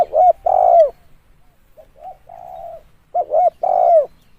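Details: Call of a spotted dove, played as a lure: a loud double coo ending in a falling note, then quieter softer coos, then another loud two-part phrase, no other sounds.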